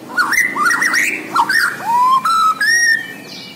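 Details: Borneo white-rumped shama singing vigorously: warbled twisting phrases give way to long pure whistles rising step by step, with buzzy overtones on the last notes.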